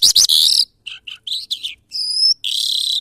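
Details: Lark (jal) singing in the Mashadi style: bursts of harsh, high chattering notes, then short separate chirps with gaps, ending in two long buzzy, sustained phrases; no other sounds.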